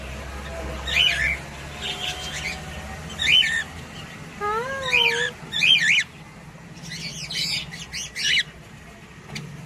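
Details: A pet cockatiel gives spaced sharp chirps over a steady low hum, with a wavering voice-like whistle in the middle and a buzzy burst of calls toward the end.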